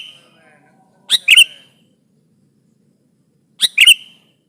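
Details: Sooty-headed bulbul giving lively song used as a trapping lure and to press a rival: two short bursts of chattering, bubbly notes with a sharp ringing ending, separated by about two and a half seconds of silence.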